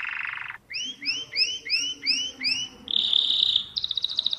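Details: Mosaic canary song opening with a buzzy trill, then six rising slurred whistles repeated evenly, followed by a high rapid rolling trill and quick chips.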